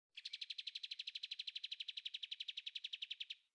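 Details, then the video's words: Caged bulbul, locally called kapas tembak, giving a clear song meant for other birds to copy: a fast, even series of bright chirps, about four per second, held for over three seconds. "kapas tembak#suara jernih#mudah ditiru oleh burung anda"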